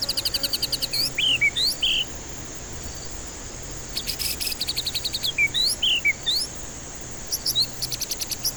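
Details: White-rumped shama singing as a lure for stressed birds that stay silent: long runs of rapid, cricket-like high pulses alternating with short swooping whistled phrases, repeated in two similar sections over a constant background hum.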